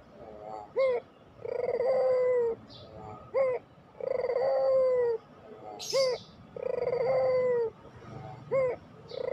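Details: Pelung-type Barbary dove song used to lure and stimulate quiet doves into cooing. A brief sharp rising note is followed by a long, even, mellow coo. The pair repeats about every two and a half seconds, four times, with a faint chirp in between.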